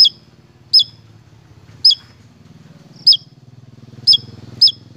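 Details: Javan tesia: bright, high, downward-flicked chips about once a second over a steady low engine-like hum.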